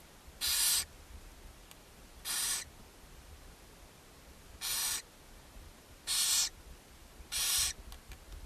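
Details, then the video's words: Barn owls at a nest box on a chimney in Ságvár, Hungary, on May 4, 2024, while the mother feeds her seven owlets: five harsh, broadband hissing screeches, each about a third of a second, spaced one to two seconds apart. "Barn Owls (Ságvár, Hungary) | Owl Mom feeding her seven owlets"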